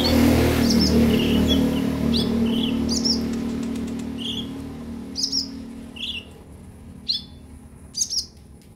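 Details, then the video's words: Purple-throated sunbird as training sound for newly bought caged birds; scattered sharp high chirps and short downward-slurred notes spaced about a second apart, with a low rumbling hum at the start. "terapi ampuh buat konin biar gampang bunyi dan gacor"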